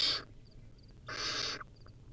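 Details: Wild barn owl owlet at a nest cam, feeding on a rodent: a short hiss then a longer, softer rasping screech within two seconds.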